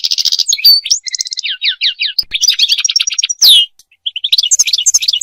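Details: European goldfinch song for mating and for teaching goldfinches to sing: a fast, continuous tinkling twitter of high chirps, buzzy trills and sweeping whistled notes, briefly pausing near the end before resuming.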